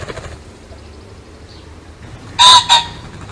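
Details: Pheasant: a single loud, harsh two-part call near the end, a long clanging note followed by a shorter echoing one, after quiet background hiss.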